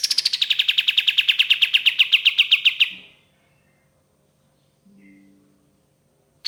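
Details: Ashy tailorbird singing as a lure: a quick series of bright, repeated notes that eases downward and runs nearly three seconds, then silence except for a faint low hum.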